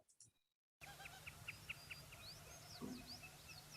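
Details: White-crowned sparrow song: introductory notes, a quick run of bright repeated notes, then higher thin slurred whistles, over a steady low rumble after a brief spoken word.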